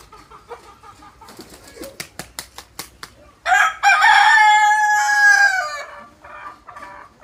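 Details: Desi rooster giving one long drawn-out crow of about two and a half seconds, preceded by a series of sharp clicks or taps and followed by softer clucks.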